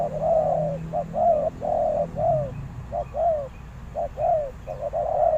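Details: Decoy spotted dove cooing to lure wild doves: low paired coos, a short note then a longer falling one, repeated about once a second, with faint low rumble beneath.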